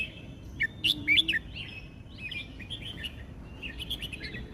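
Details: Red-whiskered bulbul song in the style called 'sai nen kham': bright, quick warbled whistles with a louder cluster near the start, followed by softer chattering phrases and other birds chirping in the background.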